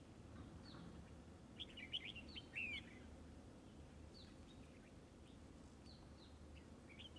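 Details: Red-whiskered bulbul caught up in trapping and fighting with a fanned display: a loud cluster of sharp, twisting whistled notes in the middle, with fainter short chirps before and after and low background hum.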